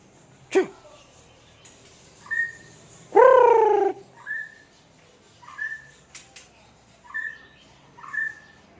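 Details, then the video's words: Aceh murai batu (white-rumped shama) gives a sharp click-like note, a loud, rich falling call, then short clear whistles repeated about every second. "MB Murai Batu Aceh Super"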